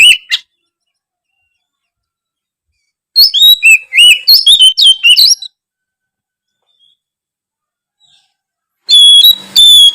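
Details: Oriental magpie-robin (kacer) in full song, played to rouse lazy magpie-robins into singing more often: loud bursts of sweet whistled notes, some rising and some falling, around the middle and at the end, separated by silence.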